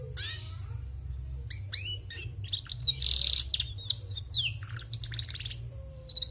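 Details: Energetic female canary song: quick upward-swept chirps, a buzzy trilled burst and tumbling high twitters, phrases packed closely together, with a low background hum.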